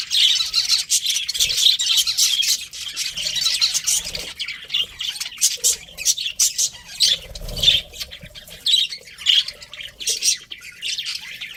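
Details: Pet budgerigar breeding pair chirping, a dense run of scratchy, buzzy chatter with quick squawky notes tumbling over one another almost without pause, brief soft gaps near the middle.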